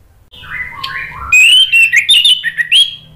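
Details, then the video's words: Orange-headed thrush song played to prompt a bird to sing. Softer, lower warbled notes lead into a loud, fast sequence of clear, varied whistles and quick slurs. "PANCINGAN ANIS MERAH agar BUNYI NYAUT JADI GACOR NGEPLONG"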